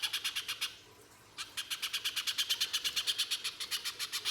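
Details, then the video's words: [1, "Little spiderhunter in full 'gacor' harsh rapid song, played as a lure to make other spiderhunters sing: sharp high chipping notes about three per second, a one-second pause, then a steadier run of louder notes."] "Pijantung Pisang Gacor Mbeset Full Nembak Kasar, Pancingan Pijantung Agar Bunyi"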